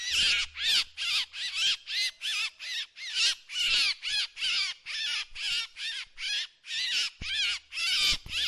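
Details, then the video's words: Drongo giving a fast, irregular sequence of grating, buzzy calls, some bunched close together, as a decoy sound. A faint low hum sits beneath the calling at times. "เสียงนกแชงแชว ສຽງນົກແຊວ ສຽງຕໍ່"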